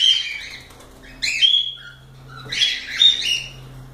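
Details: Cockatiels giving loud, harsh calls with whistled overtones, a short burst followed by a drawn-out raspy cluster of squawks.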